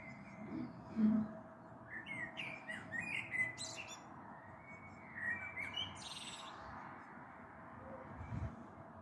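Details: Common blackbird singing in the evening of 21 April 2022 from a balcony vantage, a storm possibly approaching; a series of mellow phrases with high twitters in the first half, then quieter, with a few low thumps.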